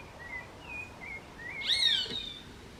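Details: A roadside hawk (Rupornis magnirostris), tagged as an urban bird, gives one short, harsh, high scream that slurs downward after a few faint thin whistles, against a light outdoor hiss.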